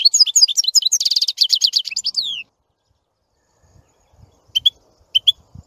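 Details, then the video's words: European goldfinch singing: a fast, tinkling twitter of high notes with a buzzy rattled stretch, lasting over two seconds, then a pause and two short, sharp chirps. "Красивое пение щегла. Singing goldfinch."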